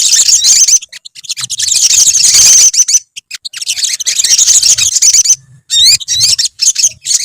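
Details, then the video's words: A colony of olive-backed sunbirds chattering together: dense, high, sharp chirps and thin twittering notes overlapping almost without pause, with short breaks and a faint low hum now and then. "BURUNG SOGON / SOGOK ONTONG / SOTONG SUARA TERAPI KOLONI GACOR"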